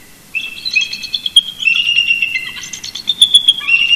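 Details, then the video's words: Two wild eagles communicating at first light near a nest at Big Bear Lake, California, 18 November 2018: continuous overlapping high chittering and squealing notes, rising and falling together in a busy duet for nearly four seconds, recorded by a nest cam. "Shadow & Mrs BB Duet Vocals Early Morning"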